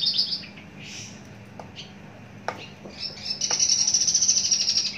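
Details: Mature, long-kept caged Javan bush lark: scattered high notes and a few clicks, then a fast, even, buzzy high trill held for nearly two seconds.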